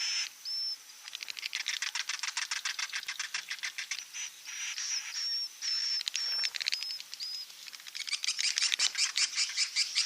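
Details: Swiftlet lure calls for drawing birds to nest: fast, rattling chirps repeated more than twice a second, mixed with short high upslurred whistles, forming a continuous chattering stream.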